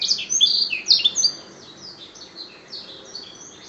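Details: Competition-winning canary singing its black-throat-style song, stated to sing all the time: a burst of loud, quick chirps and buzzy whistled notes in the first second and a half, then softer, sparser high phrases fading out.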